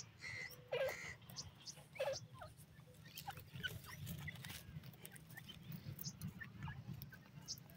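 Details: Francolin (teetar) in breeding season: two harsh, harmonic calls in the first two seconds, each dropping in pitch, then quieter scattered chirps of other small birds over a steady low rumble.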